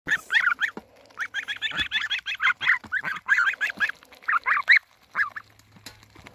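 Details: Baby geese (goslings) being hand-fed give rapid, high, piping and honking calls in quick overlapping bursts, several per second, with brief pauses and a few soft thumps.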